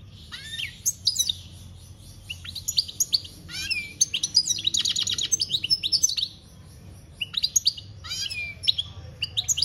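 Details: European goldfinch, campero song style, 2021: lively, sustained twittering of sharp chirps, liquid slurs and a buzzy trill, coming in quick bursts with short gaps, against faint low background noise.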